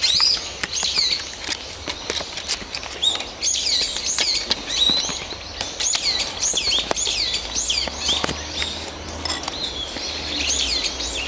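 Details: Brown-eared bulbuls calling together in the woods of an ecological park during an earthquake of about intensity 3 to 4: a dense, continuous chorus of shrill, squealing, rising and falling notes overlapping one another, with sharp clicks.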